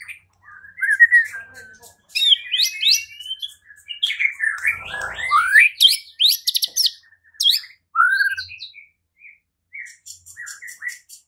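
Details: White-rumped shama song used as a lure to make a rival sing and fight: scattered bursts of bright whistles and scratchy, high upward-sweeping notes separated by short silences, ending with faint soft chatter.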